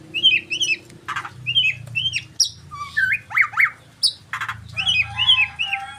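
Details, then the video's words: White-rumped shama (murai batu) delivering a rich varied song of looping whistled phrases, repeated upslurred motifs, sharp high notes and quick trills, with a low background hum. "murai batu"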